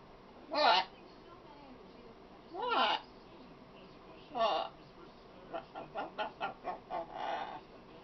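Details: A talking female macaw utters three separate warbling, word-like phrases roughly two seconds apart, then finishes with a rapid string of about seven short clipped syllables.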